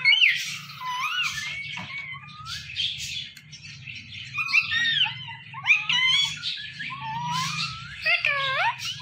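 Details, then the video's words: Talkative pet Indian ringneck parakeet chattering in a rapid run of varied whistles, squeaks and rising slurred notes over nine seconds, with a low hum underneath. "So Much Talkative Indian Ringneck Parrot"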